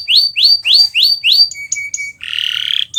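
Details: Kenari Nusantara canary singing gacor for birds learning sounds: five rising whistled sweeps about every quarter second, then short clipped tones and a harsh buzzy burst.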